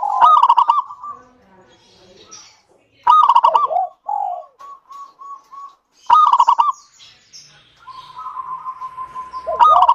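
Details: Local zebra dove singing to prompt other doves: loud clipped-note bursts recur about every three seconds, with short evenly spaced coos and long level cooing between. Faint high chirps are also heard.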